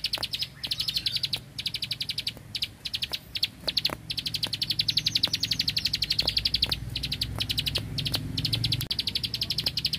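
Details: Rice-field Bar-winged prinia in vigorous 'tembakan bren' song: long, fast trains of high clicking notes with few breaks, over faint low background hum and scattered sharp ticks.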